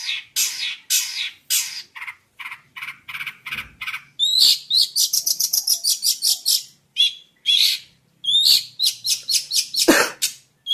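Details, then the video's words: Jentet bird singing: loud broadband rasping bursts repeated rapidly, then a run of sharp chattering notes with bright high overtones, brief pauses between series, ending with a harsh buzzy note. "burung Jentet bersuara"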